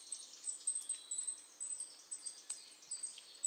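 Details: Goldcrest giving thin, extremely high-pitched notes repeated in quick rhythmic bursts, faint against a steady background hiss.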